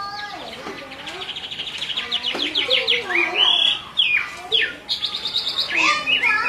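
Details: Chinese hwamei, a caged female calling repeatedly while a male is agitated; rapid series of bright repeated notes with sweeping whistles and upslurred phrases, some lower chattering beneath, and a faint human voice in the background.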